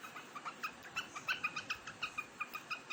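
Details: Large quail eating grain, 3 July 2021; a quick, even series of short two-toned chirps, about five per second, continues through the whole stretch with only faint room hiss behind.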